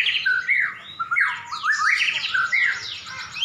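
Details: Caged white-rumped shama singing against a rival prize bird in a duel; loud, mellow whistled notes sliding up and down, each phrase short and swooping, delivered in quick succession.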